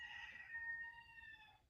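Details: A rooster kept in a garage on a farm crows: a harsh opening settling into a long, steady, slightly falling final note, heard indoors against a faint background hum; Chicken.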